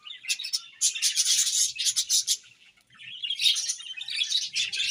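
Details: Pet budgerigars chirping in the morning: dense, scratchy warbling chatter high in pitch, in two bursts separated by a short pause near the third second.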